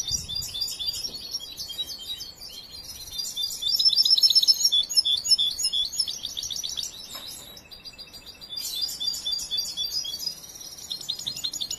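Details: Young European goldfinch, hand-raised and still in training, singing a long rapid twittering song of high liquid notes, buzzy trills and chatter, with loud bursts and quieter passages.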